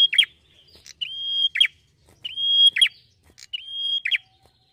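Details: Red-headed prinia, a small bird singing at its peak. Four rapid phrases about one second apart, each a drawn-out bright whistle finished by a buzzy tumbling note, in quiet surroundings.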